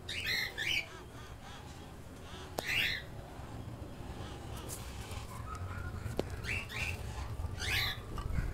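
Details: One-month-old keel-billed toucan chicks giving scattered bursts of rough, croaking calls, clustered at the start, around three seconds and near the end, with quieter gaps and low background hum between.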